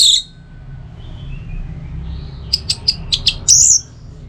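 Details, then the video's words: Orange-headed thrush, North Bali, in a recording meant to train and provoke caged birds: a brief high note, a pause, then six quick evenly spaced sharp chirps ending in a short bright whistled slur. "Masteran sekaligus Pancingan Burung ANIS MERAH"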